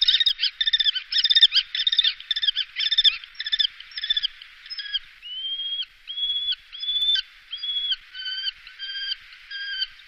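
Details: Recorded in 2018 in the Wittlicher Tal, a common kestrel starts with quick harsh repeated notes, then shifts to longer, level, whistled whining calls spaced roughly a second apart.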